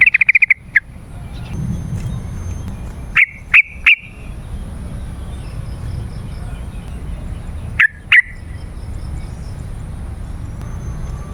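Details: Yellow-vented bulbul song played as a lure to call wild birds in forest or garden: short bright notes near the high middle register, a quick burst at the start, then two further clusters of two to three notes separated by pauses, over a low background hum.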